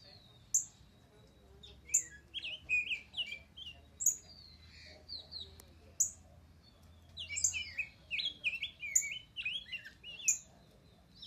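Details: A pet rose-breasted grosbeak (Pheucticus ludovicianus) sings contentedly: rich, sweet warbled phrases in two bursts, with sharp high chips repeating about every two seconds and a faint low rumble.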